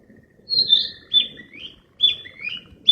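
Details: Wild flycatcher song of high whistled notes that slide down into lower, drawn-out tones, forming repeated phrases about once a second over soft low background noise.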